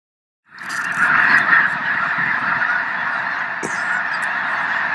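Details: Snow geese, part of a flock of over a million at Loess Bluffs National Wildlife Refuge on a fine 21 February 2020. After a half-second of silence, a dense, unbroken chorus of overlapping nasal honks swells up and holds steady.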